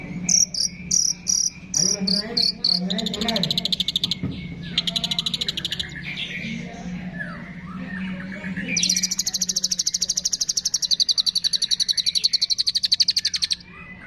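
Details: Shrike song with imitations of cililin, fighting sparrow, lovebird, tengkek and kapas tembak: varied high chips and buzzy phrases with short gaps, ending in a long, loud, rapid high trill; faint music runs underneath.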